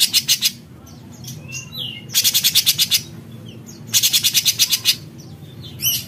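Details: Besetan of a cucak cungkok bulbul: three harsh, rapid pulse bursts, each about a second long, broken by short whistled slides, with a final sharp note.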